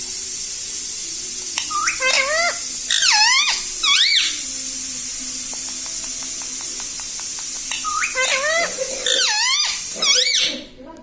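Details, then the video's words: Parrot saying "Mummy" indoors: clusters of sharply bending, harmonic syllables around two and four seconds, then a stretch of soft ticking before two more bursts of mimicked speech near eight to ten seconds. "Parrot talking video Mummy"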